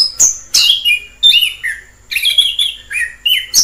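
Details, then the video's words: Wild orange-headed thrush singing: short, bright whistled phrases, some sliding downward, separated by brief pauses over about four seconds, with a quiet background. "Suara asli anis kembang di alam liar"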